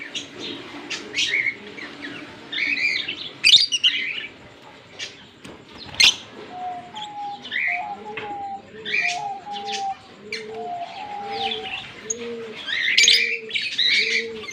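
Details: A pair of green Fischer's lovebirds chatter in busy bursts of shrill, squeaky chirps and twitters, with a low, evenly repeated hooting tone underneath in the second half; recorded October 16, 2023.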